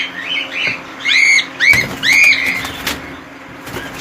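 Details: Cockatiels housed as a colony give loud, arched, rising-then-falling whistled calls, about three close together, then quieter chatter with scattered clicks.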